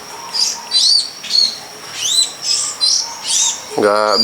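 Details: Pilis-type long-tailed shrike in the wild gives a run of curved, whistled notes in quick bursts. A man's voice cuts in at the very end.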